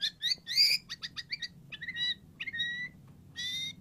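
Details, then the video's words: Softer white-rumped shama phrases for prompting a silent bird to sing: clustered buzzy chirps, then thin drawn-out whistles and a final harsh burst. "PANCINGAN MURAI BATU AGAR IKUTAN NYAUT"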